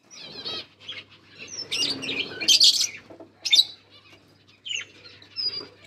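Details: Lovebirds making mating sounds, with scattered sharp, high chirps and squeaky twitters in short bursts separated by near silence, roughly one burst per second, plus a faint hum.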